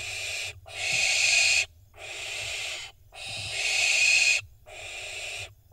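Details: Barn owl fledglings in Israel, 25 June 2021, filmed by nest camera while jockeying before a prey drop; long rasping hissed screeches about a second each, separated by short silences, repeated roughly every one and a half seconds.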